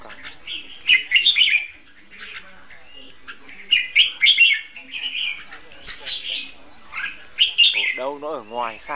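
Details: Red-whiskered bulbul kept caged as a trapping decoy, delivering competitive song: several bright, chattering phrases separated by short pauses, with a man's voice briefly at the end.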